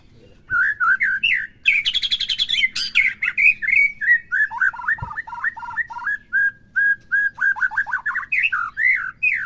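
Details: Song of the white-rumped shama used to stir a caged bird into full song: fast runs of repeated whistled notes, harsh chattering bursts early on, then steady looping slurred phrases repeated about twice a second.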